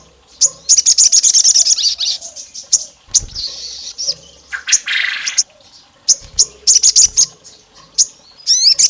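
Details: Olive-backed tailorbird lure said to resemble a female calling the male, provoking rival males: bursts of fast, high, metallic chirps separated by pauses, with a brief raspy buzz and some low thumps.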